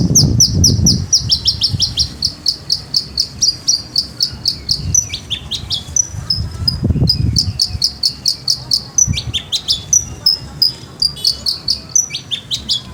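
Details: Caged Javan bush lark sings a long, fast sequence of high slurred whistles, repeated in even runs with sharp ticks, mixed with varied phrases. Low rumbling noise sits underneath.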